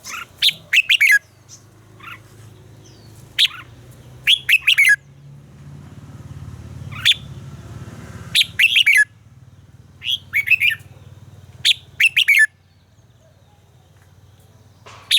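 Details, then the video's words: Red-whiskered bulbul singing during voice training: short, bright warbled bursts of a few quick notes, spaced by pauses of one to three seconds, over a steady low background hum. "luyện giọng chào mào hót hay - căng lửa, chào mào hót quá phê"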